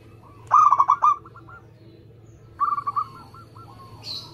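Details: Local Indonesian zebra dove giving two short runs of quick, trilled coos about two seconds apart, followed by fainter cooing, a thin steady high tone and a brief hiss at the end.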